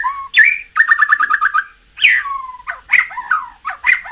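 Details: White-rumped shama singing, used to stir caged birds into fighting spirit: loud varied song with a rapid repeated trill of about eight notes, sliding whistles and sharp high accents.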